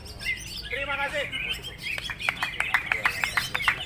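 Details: A greater green leafbird that won best title at a contest sings rapid, sharp, high chipping notes, about three a second, over a crowd's voices and other birds' whistles.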